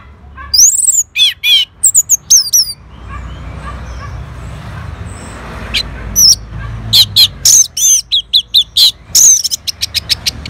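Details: Orange-headed thrush from North Bali answering a lure: varied high whistled phrases with sliding loops, a quieter stretch, then a long rapid sequence of sharp chirps and buzzy notes.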